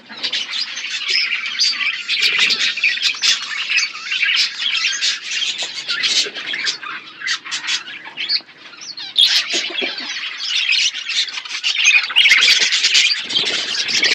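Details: Group of budgerigars feeding on seeds in a natural outdoor aviary keeps up busy, scratchy chirping and squawking chatter, swelling and easing in waves, with occasional clicks and rustles.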